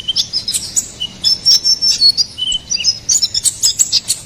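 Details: Konin kolibri ninja, or ruby-cheeked sunbird, singing in gacor style: high sustained thin whistles and slurred notes among fast, sharp chirps repeated several times per second.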